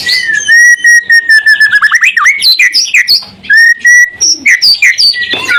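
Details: White-rumped shama singing as a lure to make other shamas answer: a run of clear steady whistles, then fast rising and falling slurs and chattering phrases, a long pure whistle, and more varied notes.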